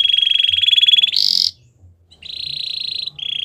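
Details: Belgian canary song for training young birds: a long fast rolled trill, a higher brief burst, a short silence, then two more sustained rolling trills at slightly different pitches.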